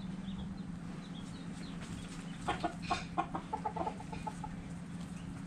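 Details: Chickens and roosters dirt bathing; after a quiet start, a quick run of short clucks comes in the second half over a constant low hum.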